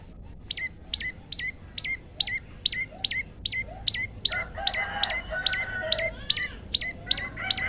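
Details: Male Olive-backed tailorbird in full song, recorded on a mobile phone for training other birds: sharp notes falling from high to lower pitch, repeated about three times a second, with a brief clucking fowl-like sound midway.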